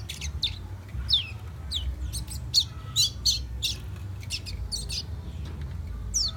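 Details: Guyana, South America: a young fire red whistling a lively string of high, down-slurred chirps roughly every half second, irregular in spacing, over faint low hum.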